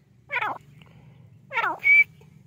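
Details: Grey francolin call: two harsh, descending harmonic notes about a second apart, the second followed by a short, bright, level whistle, over a low steady hum.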